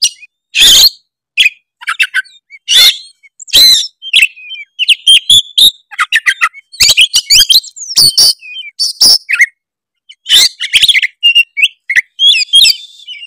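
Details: Tretes oriental magpie-robin in energetic varied song meant to agitate rival birds: loud harsh rasping bursts alternating with sharp clicks, short whistles and rapid chatter, irregular throughout.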